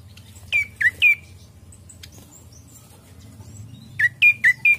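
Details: Ashy prinia song used as a lure to draw birds into singing: two short groups of loud, sharp, downslurred chirps, three then five notes, separated by a quiet pause over a low steady hum.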